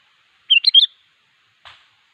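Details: One quick, liquid whistled phrase of a sooty-headed bulbul challenging a rival, followed by a brief soft rustle.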